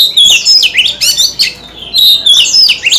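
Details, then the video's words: Loud, clear song of a white-rumped shama flicking its tail open. Piercing whistles sweep up and down in an almost unbroken stream of fluty, slurred notes. "Tiếng chim chòe than hót - Chòe than hót xèo đuôi cực hay"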